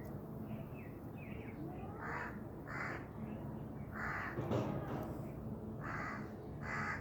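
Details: A Black francolin gives grating, buzzy notes in short groups, each a coarse burst, over constant low background noise and faint twitters from other small birds.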